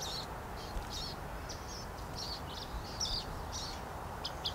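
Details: A Western wood-pewee fledgling sits and begs as a parent brings food, giving thin, high chips, about ten in four seconds, unevenly spaced over a steady low hiss; Chama, New Mexico, August 15, 2016.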